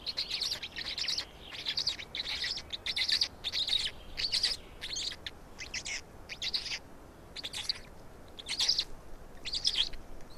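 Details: Black storks feeding at an Estonian nest, 16.05.2019, 16:58: bursts of hoarse, shrill begging chirps, each lasting under a second, separated by short gaps, roughly one burst per second.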